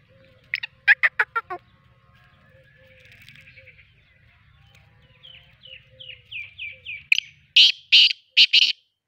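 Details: A black francolin from Sindh gives harsh, grating bursts of four or five notes, a run of quick rising chirps, then loud rasping notes, over a low hum.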